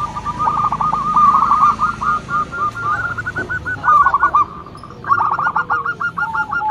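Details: Zebra dove of local stock, singing loudly as a lure, strings long sequences of quick beaded coos, pausing once briefly before a stronger final run, over a low steady background drone.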